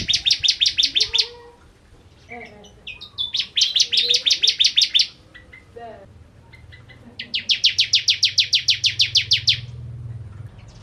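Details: Energetic Javan song of the bar-winged prinia: three quick runs of clipped, buzzy, high repeated notes separated by short twittering phrases and scattered chirps, with a faint low background hum.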